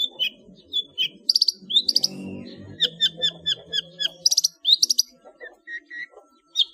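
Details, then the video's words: Long-tailed shrike singing a full-fill song used as a master recording for training cage birds: sharp high chips, short whistled notes and buzzy rattles in quick varied phrases, over a faint low rumbling background. "SUARA BURUNG CENDET NGEPLONG FULL ISIAN UNTUK DIJADIKAN MASTERAN ANDALAN"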